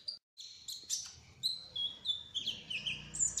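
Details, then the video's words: Sunbird, locally kolibri ninja trotol, singing a rolling song of faint, thin, high, drawn-out whistled notes, some slurred downward, over a soft low background rumble. "Kolibri Ninja Trotol Gacor Ngerol : Singing Hummingbird"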